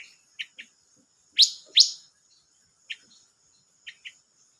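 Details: Silver-eared mesia, recorded 25 May 2022, with two loud sweeping high chirps near the middle, surrounded by short soft twittering notes, in a quiet background.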